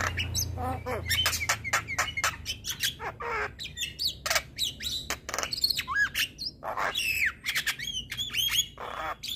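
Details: Male Javan myna in full provoking song: dense, busy mix of harsh squawks, clicks and short whistled phrases, almost without a pause, over a faint low hum at the start.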